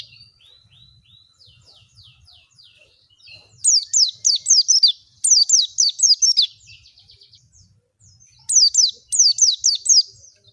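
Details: Oriental white-eye song played as a lure to get birds to open their beaks and sing. Faint high twittering opens, then loud bursts of quick falling whistled notes, a pause, and two more bursts, over a faint low rumble.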